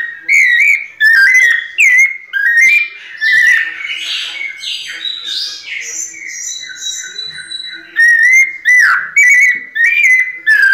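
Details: Captive sabiá-coleira, the white-necked thrush, in pianado song: bursts of clear, slurred whistled phrases open and close the passage, with a quieter, jumbled stretch of softer notes in the middle.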